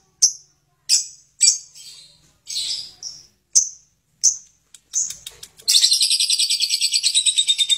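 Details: Lovebird with a series of separate sharp, shrill chips spaced about half a second apart, then bursting into a long, harsh ngekek chatter of fast, buzzy, evenly pulsed notes.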